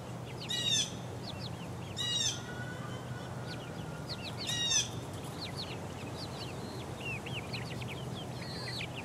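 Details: Four-week-old chickens pecking about; three loud, brief rustling bursts like wing flaps stand out among repeated high, curved peeping calls from several chicks.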